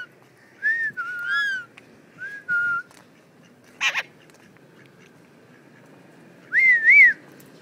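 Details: Household pet parrots give a series of short whistled notes, some slurred downward, a sharp noisy burst midway, and a final loud rising-and-falling double whistle, with quiet gaps between.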